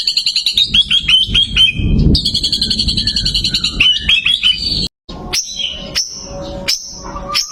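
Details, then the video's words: White-rumped shama with a winning record fires rapid volleys of high repeated notes, sharp and staccato, in quick bursts. After a short pause come a few isolated sharp whistled chips over low background rumble. "perdana murai prestasi tenbakan mewah"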